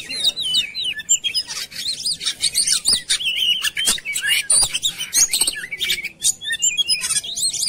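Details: Lure recording of Oriental magpie-robin meant to prompt birds to sing. Dense, continuous run of looping whistles and sharp chips, richly varied and quickly delivered across nearly eight seconds.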